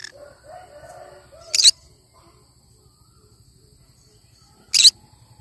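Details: Cinnamon green-cheeked conure: soft low murmuring sounds at first, then two loud, short, harsh screeches about three seconds apart against a quiet hum.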